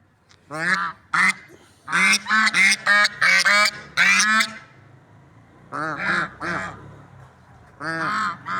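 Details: Swans calling in nature, described as lovebird swans: a series of nasal, harmonic honks in bursts, several close together, then pauses and further paired honks.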